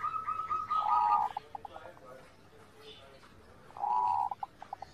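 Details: Zebra dove song used as training material for captive birds: two bouts, each a smooth rolling coo followed by three or four short staccato notes, over a low steady background hum.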